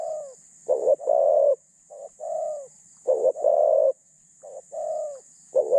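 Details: A caged decoy spotted dove with a mid voice and thin phrasing coos in a busy run: doubled notes into long hollow coos, with softer falling notes slipped between phrases, under a steady hiss.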